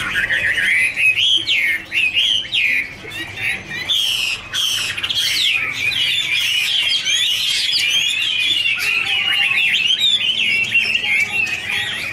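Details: Chinese hwamei (Garrulax canorus) in a dancing duet, producing an extended warble of rapid whistles and trills, with a few rasping notes and brief broadband rustles partway through.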